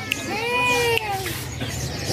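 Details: Javan drongo (srigunting Jawa) at a Pramuka bird market kiosk in East Jakarta, the last one left, hand-raised and currently growing in feathers (not moulting), gives a drawn-out nasal cat-like mew rising then falling over about a second, with sharp clicks and market chatter.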